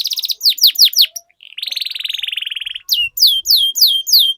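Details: Canary lure song to make other canaries sing readily and roll at length: sweeping downslurred whistles, then a long even buzzy roll lasting over a second, then a quick series of repeated downslurred notes.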